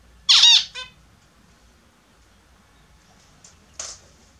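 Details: Captive Australian zebra finches taking their morning bath indoors: a harsh, nasal burst of stacked notes near the start, a short trailing note, then a quieter nasal call about three seconds later over faint room noise.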